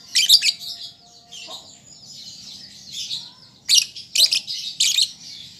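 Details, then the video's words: Juvenile lovebird practising its song: a sharp squeaky burst, then a long raspy buzzing trill, ending in three loud shrill chirps spaced half a second apart. "Pancingan Lovebird Paud Belajar Bunyi Ampuh Langsung Nyaut"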